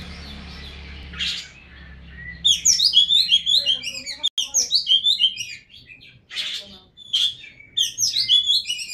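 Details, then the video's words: Oriental magpie-robin in vigorous song: bursts of rapid, varied high whistles and chirps in dense phrases, with short pauses between bursts and a faint low hum at the start. "Burung kacer Gacorrr"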